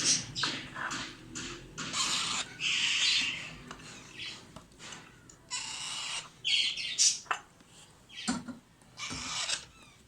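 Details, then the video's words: Alexandrine parakeet chicks being fed give a dense run of rough, buzzy squawks. Short clipped bursts alternate with longer hoarse screeches through the whole stretch. "FEEDING MY ALEXANDRINE PARROT CHICKS"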